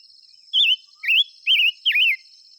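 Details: Five-coloured bird singing and calling: four loud, clear whistled phrases, each wavering up and down for about a quarter second, spaced roughly half a second apart, over a faint steady high-pitched insect hum.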